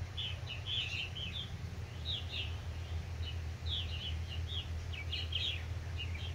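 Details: Purple martins, adults urging newly fledged young, give clusters of chattering, gurgling chirps in short bursts about every second, over a constant low droning hum.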